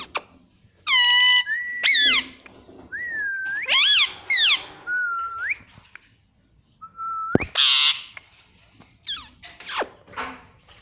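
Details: Talking pet parrot said to repeat "mummy"; a string of clear, tonal whistles and bent harmonic notes, some rising and some falling, with brief gaps and one harsh burst near the end.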